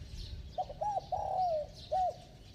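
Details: One brief phrase from a bell-voiced spotted dove: a pair of short low hoots, an extended coo falling in pitch, then a single closing hoot.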